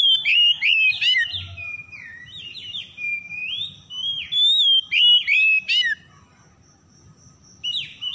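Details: Oriental magpie-robin song played as a lure so stressed birds sing again: loud varied whistles and sliding notes in rapid phrases, a brief quieter stretch, then a final burst.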